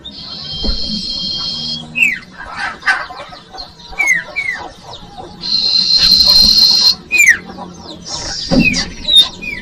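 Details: Common iora song played as a lure for young birds: sustained buzzy trills broken by sharp downslurred whistles and clicks, several phrases over ten seconds, with faint low hum and occasional clucking noises.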